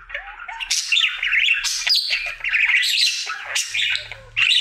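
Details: Male pet budgerigar singing his daily routine: a lively warble opening with soft whistled slides, then loud scratchy chirps and clicks in bursts, with a few brief quieter gaps.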